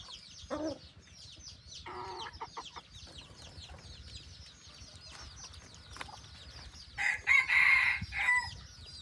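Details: A decoy red junglefowl (Gallus gallus) kept on a farm gives a short, strained crow near the end, with clucks earlier, over steady high twittering from many small birds.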